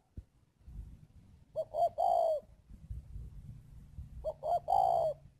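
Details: Spotted dove kept as a decoy in Ba Vì, Hanoi, Vietnam: two phrases of soft short hoots leading into a long, loud, slightly rising coo, separated by about two and a half seconds of low rumbling background noise.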